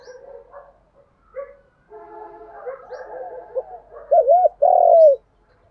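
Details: Spotted dove challenge and calling coos, used to train young birds: low murmuring, warbling notes first, then loud arched hooting coos in a quick burst near the end.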